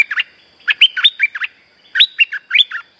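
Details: Streak-eared bulbul singing a trapping lure: two chattering runs of quick slurred chirps, rising and falling in pitch, separated by a short gap, over a faint high tone.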